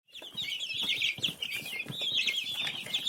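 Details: Baby chicks chirping together: a dense, continuous chorus of high, thin peeping notes overlapping without pause, with faint soft rustling beneath.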